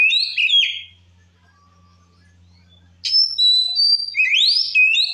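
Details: Kacer, a white-rumped shama, singing to provoke rival shamas: a short whistled phrase, a long silent gap with low hum, then sliding and rising whistled notes ending in an upward sweep.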